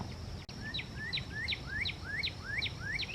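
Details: A Yellow-breasted Chat at Iroquois Park on a dark, cloudy morning, May 15, 2024, sings a fast run of about eight rising whistles, each ending in a sharp upward flick, over a steady high hiss and low rumble.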